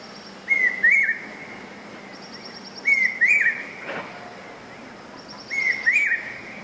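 A Large Hawk-Cuckoo gives shrill, two- to three-note whistled phrases every two and a half seconds. Faint high ticking chirps sound in the background.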